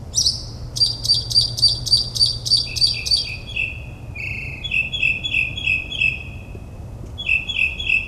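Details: Northern mockingbird singing at night in the New Jersey suburbs, mimicking other bird species: rapid repeated high notes, then lower buzzy slurred phrases, then a new stuttering pattern, each type repeated several times before switching.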